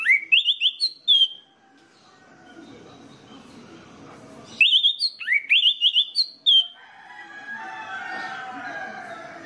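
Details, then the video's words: Orange-headed thrush singing, used as a lure so other orange-headed thrushes start singing. Two bursts of quick, high, rising and falling whistles are each followed by a quiet gap, and faint murmuring noise trails at the end. "PANCINGAN ANIS MERAH INI BIKIN GACOR ANIS MERAH LAIN"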